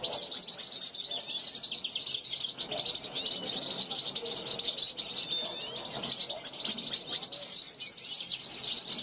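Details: European goldfinch youngster from 2021, caged on a balcony and calling out to passing wild goldfinches; sustained rapid twittering, jingling high notes and rattling trills throughout, soft low background noise.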